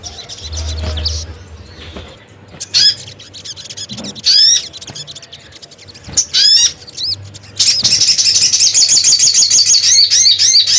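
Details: Scattered thin, high chirps and quick downslurred notes from a crimson sunbird lure recording, spaced by quiet gaps, then a long, dense, very fast high trill for the final three seconds; low hum beneath.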